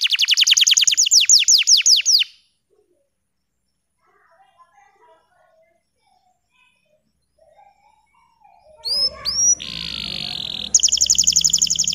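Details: Bottle-green canary, its song meant to tutor young canaries: a fast high trill of descending notes, a long near-silent gap with faint soft sounds, then hooked whistles, a buzzy note and another rapid trill.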